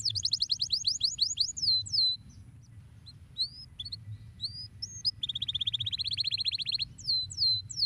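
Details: Canary singing to rouse other canaries: a rapid trill of falling notes, scattered whistled chirps, then a steady pulsing roll followed by sweeping slurs, steady low-pitched hum underneath.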